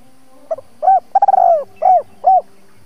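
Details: Decoy spotted dove, used to lure and trap wild doves, giving a double-voice calling phrase: a soft short note, a hollow coo, a rapid rolling coo sliding downward, then two separate hollow coos; quiet background.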